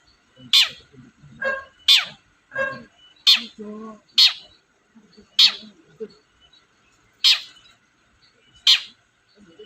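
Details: Long-tailed shrike, played to coax a quiet shrike into answering: sharp, harsh notes repeated roughly every second or so, each a short rasping burst, with softer lower chattering between them.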